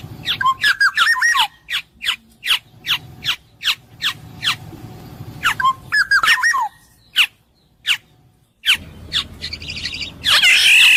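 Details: Black-naped oriole (kepodang emas) giving fluty, wavering whistled phrases mixed with many short, harsh, descending nasal notes delivered in quick series, gaps of quiet between bursts and a loud rasping squawk at the end.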